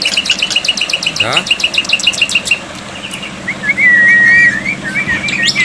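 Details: Black-winged myna song on a water-therapy tutor track for silent birds: a fast run of repeated short notes, a pause, then a loud wavering, looping whistle phrase over a low hum.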